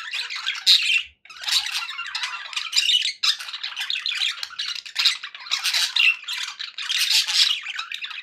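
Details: Happy pet budgies in a group give dense, raspy warbling and squeaky chirps in surging bursts, broken by brief near-silences around one and three seconds before the busy chatter resumes.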